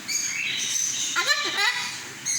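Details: Albino cockatiel in a shop near Kolathur, said to speak Tamil: a short, harsh, voice-like utterance of two quick syllables, with high thin chirps and whistles in the background of the room.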